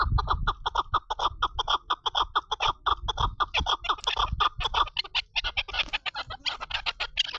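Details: Long, unbroken chatter of rasping chuck notes from a female chukar partridge, rapid and slightly uneven in rhythm, with some low background rumble.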